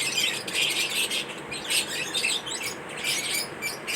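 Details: Lovebirds chattering in a mating ritual. Squealing, scratchy chirps come in irregular bursts, with sharp high squeaks breaking through the running twitter.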